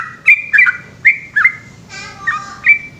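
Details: Yellow-vented bulbul, locally trucukan, in nighttime ropel song: a few spaced liquid, slurred notes, with a brief hissy sound in the middle.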